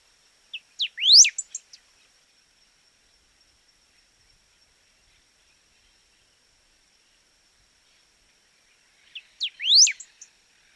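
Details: A golden-billed saltator, a bird of woods and savannas, sings two brief phrases about eight seconds apart. Each phrase has a few short chips followed by a sharp, rising, whistled sweep, with quiet in between.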